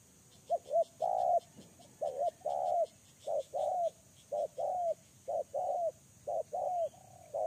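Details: Spotted dove kept as a pikat lure bird cooing loudly and persistently. Paired phrases of a short note and a longer, slightly falling coo come about every second, with soft high ticking behind.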